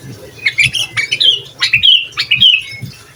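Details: Short, vigorous sooty-headed bulbul phrases meant to stir up other bulbuls: clear whistled notes bending up and down, about a dozen in quick succession.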